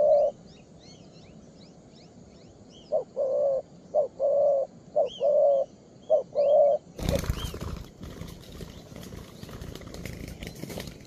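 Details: Young 'two-strand' pearl-neck spotted dove, with a full song, calling at its perch. A quick series of mellow coos, short and long notes alternating, runs for about four seconds. Thin chirps from other birds come at first, then a loud rustling noise takes over.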